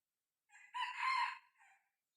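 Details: Red junglefowl decoy, a six-month-old cockerel tried out for luring wild birds, crows at moderate volume: a rising start, a strong sustained middle and a softer short closing note.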